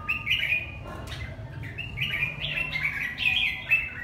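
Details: Red-whiskered bulbul, Hà Tĩnh strain: bubbling warbled phrases of rolling whistles, one at the start and a longer run in the second half, with a constant low droning hum behind.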